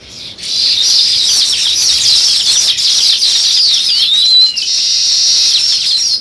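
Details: Constant dense high chirping from sparrows, a busy unbroken wash of overlapping tweets with a few downward-sliding notes.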